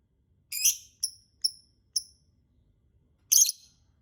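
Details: Lovebird sounds used to lure birds into singing: a rasping screech followed by three short, high chirps, a pause, then another harsh, buzzy screech.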